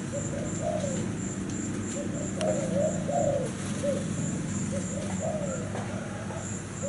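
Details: Caged Thai-type spotted dove with cream plumage cooing: low, soft, rounded coo phrases repeated in short bursts over steady background hum, with a fast, regular high insect-like ticking throughout.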